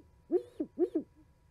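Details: Owls chatting in winter at an osprey nest live cam in Charlo, Montana, on 11 January 2020: two quick pairs of low, mellow hoots, each an arched rising-then-falling note followed closely by a shorter second note, over a quiet background.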